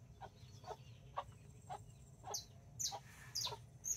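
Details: Backyard hens with nine chicks in Colombia, 24 October 2024, four mini and five Brahma babies, rooster nearby; soft low clucks about twice a second, joined in the second half by shrill, falling chick peeps.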